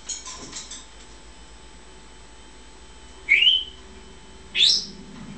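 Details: Pet African grey parrot indoors, calling out after its owner leaves the room, swinging on its swing; two loud, clear upward-sliding whistles about a second apart, after brief soft chatter at the start and a low room hum.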